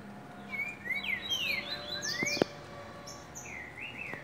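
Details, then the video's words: Green-winged saltator (trinca-ferro) singing: short loud whistled phrases of rising and falling slurred notes, a clear phrase around the first two seconds and another near the end, with a faint steady high tone and a sharp click. "O CANTO DESSE TRINCA ALEGRA OS OUVIDOS"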